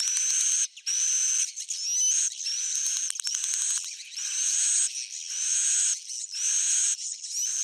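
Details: Swiftlet calls in an old-style recording described as proven: dense, high, chattering buzzy bursts of about one second each, repeated almost continuously with short gaps, bright and steady throughout, with no other clear sounds.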